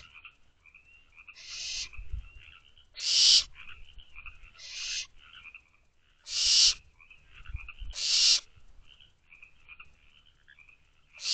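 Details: Barn owl owlets calling from a nest box at night in late May, heard through an outside camera. Harsh broadband hisses come every one to two seconds, overlapping a steady background of quieter chittering and ticking calls.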